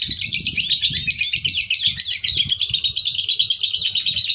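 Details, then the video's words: Male fighter lovebird in long continuous chattering song used to provoke other lovebirds into singing: dense, high, scratchy twittering trills without pause, with soft low thumps underneath. "pancingan lovebird jantan fighter"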